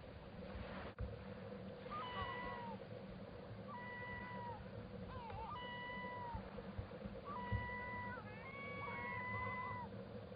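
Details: Black scoter calling: a series of clear, piping whistles, each slurred and slightly rising or falling, given in four bouts about every two seconds, some doubled or overlapping, over a steady low hum and background noise.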